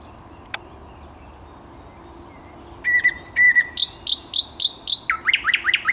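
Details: Thrush nightingale song from 10 May 2021: a phrase that starts with soft high notes and swells into louder, clear repeated notes, ending with several falling whistles in quick succession.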